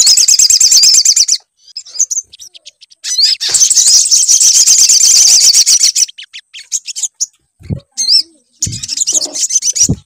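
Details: Sunbird song played as a lure to coax singing: high, rapid trills in bursts of a second to several seconds, with scattered sharp chips and occasional dull knocks between phrases.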